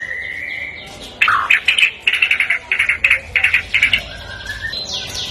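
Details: White-rumped shama of the Medan type, a kept songbird singing in full voice, its song filled with imitations of ciblek, cililin and jenggot kapas; a steady whistled note, then a rapid run of about ten sharp, loud bursting phrases.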